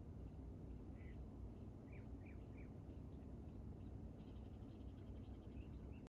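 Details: Hummingbird activity around a feeder, giving high, squeaky chirps spaced about half a second apart, then a fast twittering chatter, with constant low-pitched background hum throughout.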